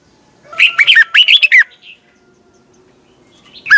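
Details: Caged red-whiskered bulbul in competition-style singing used for training: two bursts of loud, rich warbled phrases swinging between low and high notes, then a brief quiet gap and a short closing phrase.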